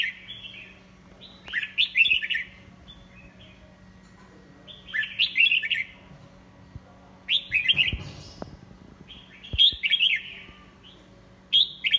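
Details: Red-whiskered bulbul, a 'pháo cối' style singer, giving loud bright warbled phrases of rising and falling whistles, repeated in bursts about every two to three seconds, with a faint low hum and a few clicks behind.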